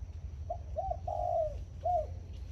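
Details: Zebra dove singing in the morning: a soft cooing phrase of short mid-pitched notes, a longer sustained coo that slurs downward, then a further short coo, over low steady background rumble.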